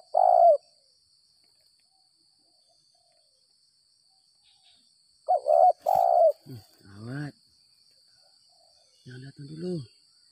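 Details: Spotted dove lured after rain, with a gagap 6 mata call style. A single loud coo is followed by silence, then a quick pair of husky coos, with men talking softly over and after them.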